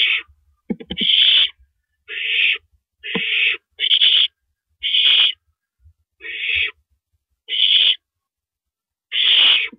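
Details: Barn owls at the nest at 2:42 AM on 7 April 2012 as a rabbit is delivered as prey; harsh rasping hisses in bursts of about half a second, spaced irregularly, with faint low clicks and knocks between them.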